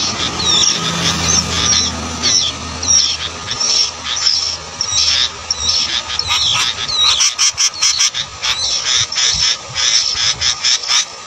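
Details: Sooty-headed bulbul young, fed cicadas and butterflies by the parent, give high, harsh, squeaky begging notes in quick repeated bursts, with scratchy rustling clicks later and a faint steady hum behind.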